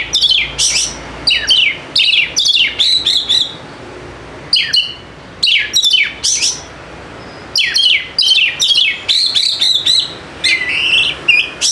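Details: White-rumped shama song used as a lure to get silent birds singing: continuous fast series of loud, sweeping whistles and scratchy chattering phrases with brief gaps, ending in a longer run of quick notes.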